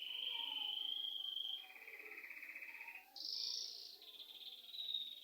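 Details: Bird chirping indoors at home: a long run of rapid, high trills that steps between pitch levels, first level, then lower, then jumping higher, each section a second or two long.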